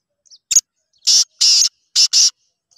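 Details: Black francolin, kala teetar, described as calling very well: a short click, then four loud harsh, rasping bursts, two then two, in a clear staccato rhythm against silence.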